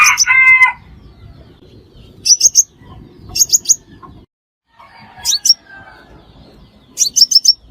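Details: Trapping lure of crimson sunbird calls. A lower, harsher chattering note opens, then several short clusters of two to four thin, high chips follow at intervals.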